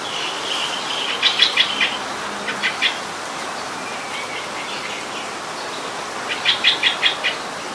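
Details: Streak-eared bulbul, a very common resident, recorded in Ubon Ratchathani, Thailand, on 29 February 2020: short bursts of rapid, sharp chattering notes in three or four groups, each burst of four to six clipped notes, over steady background hiss.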